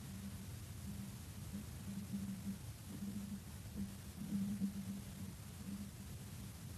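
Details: A steady low hum with faint background noise throughout and no clear animal calls.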